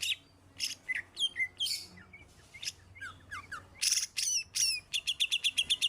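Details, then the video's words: Song of a greater green leafbird trained with a special fill: scattered whistled slurs and downward-sweeping notes, harsh bursts, then a quick even string of chattering notes. "cucak hijau isian spesial"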